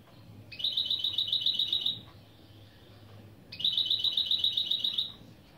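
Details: Two long, even, buzzing trills of rapid high notes, each under two seconds, with a quiet gap between them. Sung by a goldfinch × canary hybrid in a lesson of its opening song phrases.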